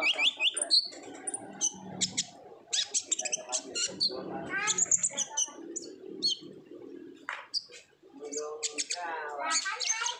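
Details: Olive-backed sunbird in energetic 'gacor ngobra' singing, used as a lure to make other sunbirds sing; dense bursts of high, sharp chirps and trills, with lower murmuring sounds underneath and a short pause near eight seconds.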